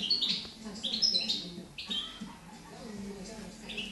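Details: Juvenile European goldfinch, a 2013 bird from Girona, trying out its first song: a cluster of sharp, high chirps and short whistles early on, then quieter scattered notes over a low hum.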